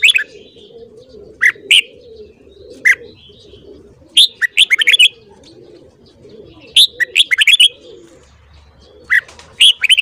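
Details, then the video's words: Morning song of a red-whiskered bulbul trained to sing: short single chirps and longer bubbling warbled phrases of rapid whistled notes, repeated every second or two, with a soft low murmur underneath. "Luyện giọng chào mào hót sáng"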